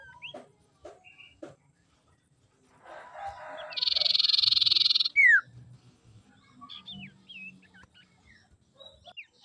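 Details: A common iora, apparently a female used as a lure call, gives a few sharp notes, then a loud buzzy rattle lasting about a second, a quick falling whistle, and scattered thin high chirps.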